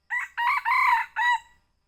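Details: Young red junglefowl giving a lure call, the sound used to attract birds while hunting, recorded at Bukit Tinggi: a harmonic crow in four loud, broken syllables, the third longest and slightly rising, in quiet surroundings.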